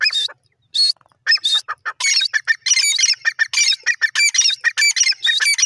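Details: Francolin giving loud, harsh, rapid notes that become a dense run of grating calls with strong overtones, uneven in rhythm and continuing to the end.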